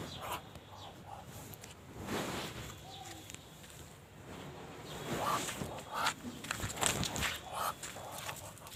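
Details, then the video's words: A Muscovy duck gives breathy, raspy hisses in short irregular bursts, likened to a dragon, with a few faint high chirps and some shuffling footsteps in the background. "muscovy duck sound like a dragon"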